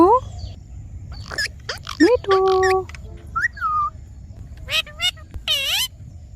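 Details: Green talking parrot mixing rising whistles, a steady held tone, a falling glide and sharp clicks with harsh squawks, varied and speech-like, over quiet low hum.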